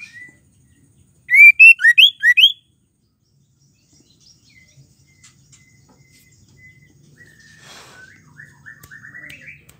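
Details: Female white-rumped shama song, used to provoke male shamas into singing: one burst of five loud, rising whistled notes with bright overtones, lasting about a second, then quiet, with faint softer warbled notes trailing toward the end.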